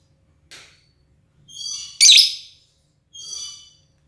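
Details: A white, red-eyed lovebird gives a few shrill, harsh screeches, each about half a second long; lovebird.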